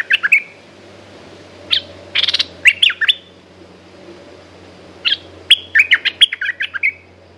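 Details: A caged Red-whiskered bulbul sings two lively phrases of rapid, clear chirps and slurred whistles, separated by a pause of about two seconds. A faint low hum is in the background.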